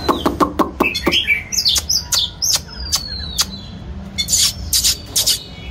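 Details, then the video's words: A white-rumped shama sings as it displays, opening with a rapid series of hard clicks, then thin pure whistles, a long level note, and closing with loud harsh bursts. "choè than hót múa"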